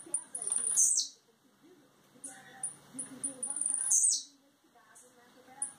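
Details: A molting-out blue-black grassquit from Campos dos Goytacazes, Rio de Janeiro, Brazil, gives two buzzy high songs. The first opens the recording. The second builds from spaced sharp chips into a dense trill that dips sharply downward, with scattered notes after.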